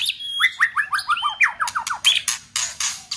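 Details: White-rumped shama in fighting song mood: a fast series of downslurred whistled notes, roughly one every tenth of a second, then loud harsh rasping bursts.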